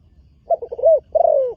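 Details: Spotted dove, a new bird being trained, making its first outing onto a dirt competition ground. A single phrase of stuttering short low notes runs into a long, smooth, downward-sliding coo.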